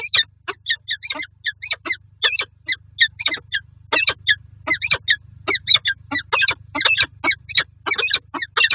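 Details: Two peregrine falcons meet again in their nest box in Lublin, Poland, 18 January 2023, giving a long run of grating, chattering calls, short harsh notes in quick irregular clusters over a faint electrical hum.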